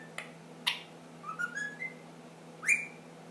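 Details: Pet ring-necked parakeet, ten months old, indoors: two sharp clicks, then a soft stepped rising whistle and one loud upward-sweeping whistled note.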